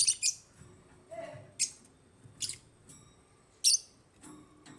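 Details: Scattered high, thin chirps and squeaks from African lovebirds, sometimes doubled, separated by short pauses, with one brief lower murmur and faint room background.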